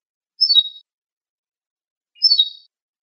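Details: Ortolan bunting, called al-bouh, from a birdsong CD: two brief high descending note groups about two seconds apart, each a quick slurred cascade of thin whistles, with nothing else audible.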